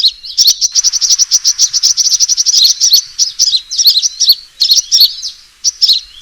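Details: Lure call of a fighting sunbird: a steady rapid string of high, sharp ticks lasting about two seconds, followed by scattered slurred chirps and short twittering phrases.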